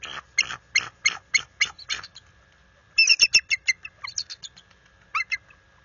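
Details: Resident bald eagle at the nest after dark in February, warning an intruder eagle: a clean series of evenly spaced sharp high chirps, about four per second, then a second quicker run and a few final notes.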